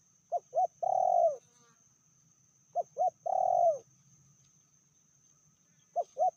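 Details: Female spotted dove, said to be fiercer than the male, calling at a medium pitch: two short rising notes then a long drawn coo that falls at the end, the phrase repeated about every 2.5 seconds.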